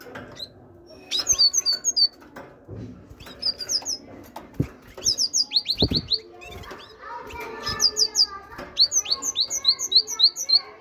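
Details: Caged great tit delivering dense, quick series of high, downward-slurred chirping notes, growing busier toward the end, mixed with clicks, knocks and low rustling in the room.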